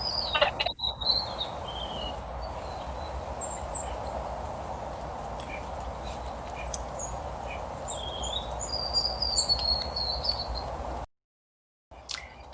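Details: Juvenile White-throated Sparrow still learning its song: thin, high whistled notes, scattered, uneven and some wavering, lacking the adult pattern, unconfident and with some notes apparently wrong, over a soft rushing background.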